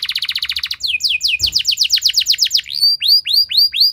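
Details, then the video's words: Canary in full song, played as a lure to stimulate other canaries: a quick high trill, a run of swift falling whistles, then slower rising-and-falling whistled notes repeated about twice a second. "Langsung Respon Burung Kenari Kondisi Apa Saja Dengan Pancingan Kenari Nembak Panjang Keras Ini"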